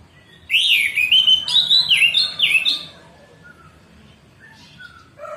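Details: Orange-headed thrush giving morning 'ngeplong' song, used as a tutor recording to get silent caged birds singing again: a loud two-and-a-half-second run of varied slurred whistles and quick up-and-down notes, then near quiet with faint distant whistles.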